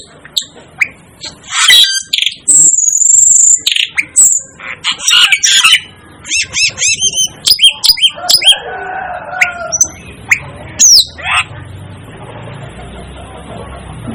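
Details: Asian glossy starling, nicknamed the 'devil' bird, uttering a busy mix of piercing high whistles, clicks and short harsh notes, with a lower, rougher squawk near the end.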